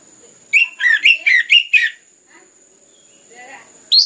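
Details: Anis merah, the orange-headed thrush, sings to prompt other birds to sing: a quick run of six warbled, slurred whistles, then a quiet gap and a final rising note, over a faint constant high hiss.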